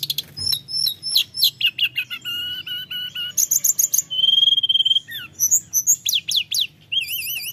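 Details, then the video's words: Flowerpecker from the mountains in full constant song, played to stir lazy birds: very high chirps, a sustained thin whistle, quick trills and wavy warbled notes in a rapid mix, soft hum below. "Suara tledekan gunung gacor‼️pancingan emosi tledekan malas Bunyi"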